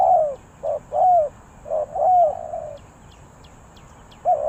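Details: Spotted dove in Ninh Thuận, Vietnam, giving 3 kuk hoi style coos. Mellow arched coos with short lead-in notes; one phrase trails off longer before a pause and a fresh coo. Faint clicks and bird chirps are heard.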